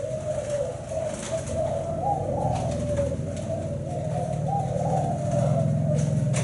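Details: Rapid, pulsing low coos from a Thai black-spotted spotted dove with a seven-note song, the pitch swelling and easing in quick waves over a deep hum.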